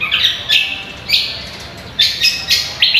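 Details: Greater green leafbird, a contest-training recording: loud, clear whistled notes that start high and slide down, bunched in short bursts with brief quiet gaps between them.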